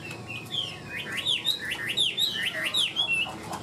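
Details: Caged, tame Chinese hwamei held for sale, singing a loud, even run of clear whistled notes that slur up and down, many sharply rising then falling, delivered in quick succession with little pause.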